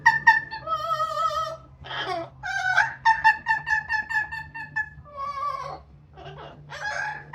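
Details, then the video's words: Pet Amazon parrot outside on a sunny day after a shower, extra noisy while drying off. It gives a run of loud, harmonic, warbling notes with short wavering phrases and sung tones, broken by brief raspy bursts, with steady low hum behind. "the Parrot singing talking and making noise outside after shower"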